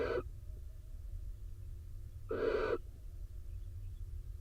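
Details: Barn owls at a nest box camera in Israel as the rain-soaked male enters to join the incubating female; two harsh, breathy, broadband hissing screeches about two seconds apart over a steady low rumble.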